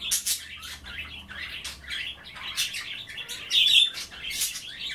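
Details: Captive budgerigars at bath time, nibbling kale and water, give rapid scratchy chatter. Quick high chirps and clicks run together almost without pause.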